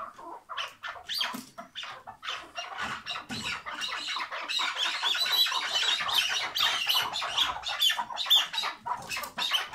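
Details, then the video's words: Tethered chukar partridge giving its hıngırma call: dense, harsh, rapid chattering notes about twice per second, rising in loudness through the second half, with bright squeaky accents. "Keklik Hıngırması Süper Bağlı keklik sesi"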